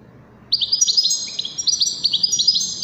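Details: European goldfinch song used for teaching goldfinch chicks and hybrids: after a short quiet start, a fast run of high, bright tinkling notes and twitters, closely repeated with clear sharp chirps throughout.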